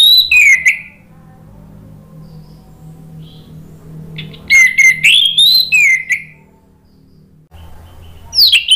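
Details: Orange-headed thrush (anis merah) song used to coax birds into answering and singing nonstop: a loud descending whistle, a long quiet gap, then a run of swooping clear whistles and a final rising note.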